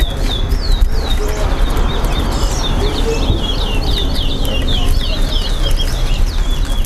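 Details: A chestnut-bellied seed finch (towa towa) whistling during a Linden bird club competition gives clear high slurred notes in quick runs, growing denser in the second half, over steady background chatter.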